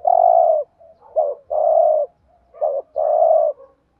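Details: Spotted dove decoy bird cooing to provoke rivals, thúc gù style: long, full low coos alternate with short sharp double notes in a steady rhythm, three coos within a few seconds.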